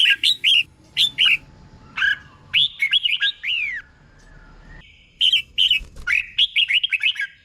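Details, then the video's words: Red-whiskered bulbul tutor song for caged birds in Thailand, with notes doubled in pairs: short bright whistled pairs, then a rolling run of slurred notes, a pause, and another fast series of clear whistles. "เสียงนกกรงหัวจุก | สุดยอดนกครู เบิ้ลชัดๆ เบิ้ลเป็นคู่ๆ"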